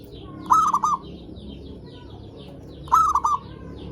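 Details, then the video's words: Zebra dove song used as a lure to stimulate other zebra doves to sing: two short cooing phrases about 2.4 seconds apart, each a rising note followed by two or three quick clipped notes, with faint clicks. "Suara Perkutut Pikat Gacor AMPUH pancingan SEMUA BURUNG PERKUTUT"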